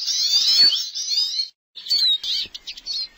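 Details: Pet Eurasian siskin in a cage delivers a short burst of high buzzy twittering, pauses briefly, then resumes with quick whistled chirps and clipped notes.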